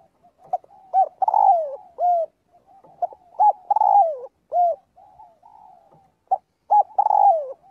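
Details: Spotted dove calling the flock during daily voice training. Phrases of short coos lead into a long mellow coo that slides downward, then a rounded arched coo, repeated three times. Faint soft coos fill the gaps.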